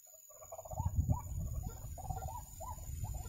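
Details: Ruak-ruak or white-breasted waterhen at a trap site, giving a series of rising, nasal mid-pitched notes in quick succession, partly masked by loud low handling or wind rumble and a thin high tone.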